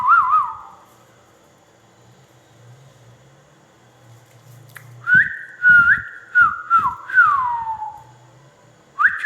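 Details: Ringneck parrot producing a short wavering whistle, then a long near-silent pause with a low hum, followed by a run of rising and falling whistled notes ending in a sliding downward whistle.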